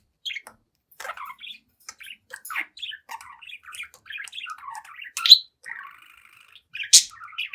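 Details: Seven-month-old pet budgie chattering and singing at a mirror, a steady stream of soft, rapid warbling notes and clicks, broken by two sharp, loud squeaks, indoors with no other sounds.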